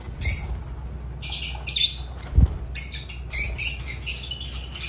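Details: Agapornis lovebirds calling with harsh, high-pitched screeching squawks in short clustered bursts, separated by brief pauses, over a constant low background hum.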